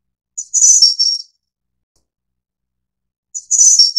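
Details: Ficedula hyperythra innexa, Snowy-browed flycatcher found in Taiwan's dense broadleaf forest and thickets, sings two thin, very high phrases three seconds apart, each a quick lead note and a lisping trill dropping slightly at the end.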